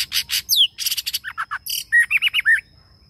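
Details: Long-drawn song from a male white-rumped shama used as a lure bird. Buzzy rasping bursts alternate with a sharply falling whistle, then quick low warbles and a tight series of rising-falling whistled loops. A thin constant whine sits underneath.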